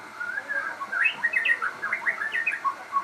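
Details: Crossbred murai in full song: a dense, fast warbling stream of short rich whistled and twittering notes, rising and falling in quick succession over a light background hiss.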